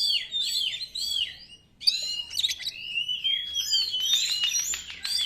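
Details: 'Konslet'-style lure song of an Oriental magpie-robin, used to call wild magpie-robins: repeated downslurred whistles, a brief silence, then harsh buzzy bursts and a long drawn-out whistle.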